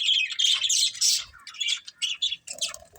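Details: Playing budgies squawk and twitter in high, scratchy bursts, an energetic opening run breaking into short separate chirps.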